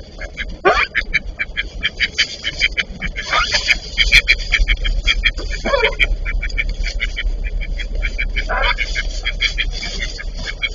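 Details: Fighting pair of Eastern spot-billed ducks; rapid strings of short quacks broken by several harsh, raspy squawks as the birds squabble.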